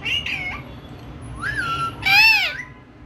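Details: A pet Indian ringneck (rose-ringed) parakeet talking during a video call makes three short, nasal, voice-like utterances that bend up and down in pitch, a bit like meows, over a faint low hum.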